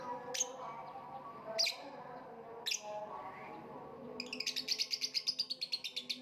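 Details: Three separate piercing squawks from a lovebird, then a fast, evenly spaced string of high chirps that speeds into a rattling chatter at the end. A soft low hum runs beneath.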